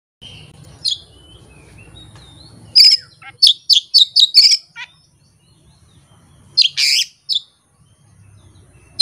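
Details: Oriental magpie-robin unloading learned song material without a tutor track or opponent: a faint whistle, then a fast series of loud, piercing chipped whistles, a quiet gap, and a harsh, scratchy burst near the end.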